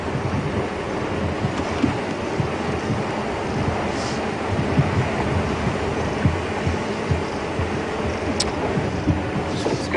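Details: Steady low rumble of wind and a running vehicle engine with broadband noise throughout, and no animal calls standing out.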